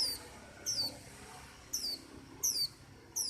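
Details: White-eye giving sparse, very high, thin notes that swoop downward, about one every 0.7 seconds. The notes are fairly soft against a steady background hiss.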